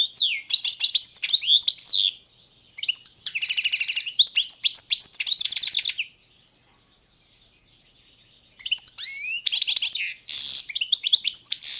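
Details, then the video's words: Balkan goldfinch, Carduelis balcanica, in full song: long runs of liquid twitters, rapid buzzy trills and tinkling notes, stopping for about two seconds of silence before starting again; a clean, close recording. "Pesma štiglića, češljugara , grdelina, lokera carduelis balcanica"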